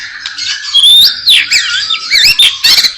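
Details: White-rumped shama (murai batu) in full 'isian' song: loud squeaky whistles that swoop up and down, mixed with buzzy scratchy notes in quick bursts.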